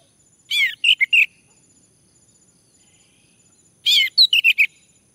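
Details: Male orange-headed thrush, used as a lure to prompt another male to sing: two bursts of rich, slurred whistled notes, each a quick cluster of four or five, about three seconds apart, over a faint steady high tone.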